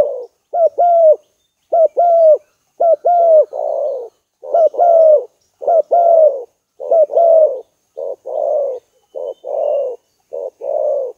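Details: A spotted dove (Streptopelia chinensis) lure recording: a long run of low coos, about a dozen phrases, each a short pickup note and a longer falling coo. The later phrases become rougher and more buzzy.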